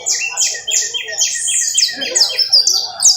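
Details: Canary trilling in Valledupar: fast, high buzzy trills of repeated short notes in bursts, with brief sharp whistled upslurs near the end, the phrases running almost continuously.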